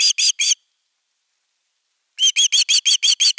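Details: ['Osprey guarding its nest, filmed by nest camera #3 on 31 August 2021: three piercing whistled notes, a pause of over a second and a half, then a rapid burst of eight more.']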